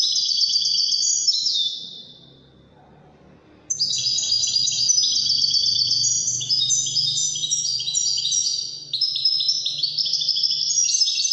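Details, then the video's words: Wedani goldfinch delivering fast, dense twittering song of high jingling and buzzing notes. One brief pause is followed by an almost unbroken stream to the end, over a soft low hum. "تغريد طائر الحسون الويداني chant de chardonnere"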